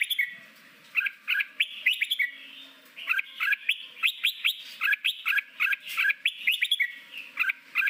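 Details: Training song of a red-whiskered bulbul in forest voice, used daily to bring newly caught birds into competition singing: rapid bursts of sharp, rising and falling whistles repeated in quick series, with a low hum behind.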